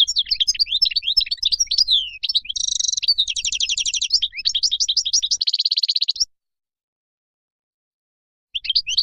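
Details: Wild goldfinch song for tutoring fledglings: rapid, bright twitters followed by nasal buzzy rattles and a dry, even trill, then silence before a short final twitter.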